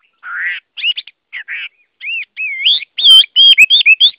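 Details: A Chinese hwamei sings rich, looping whistled phrases, with some notes wavering up and down and others sharply inflected, delivered in quick bursts separated by short pauses.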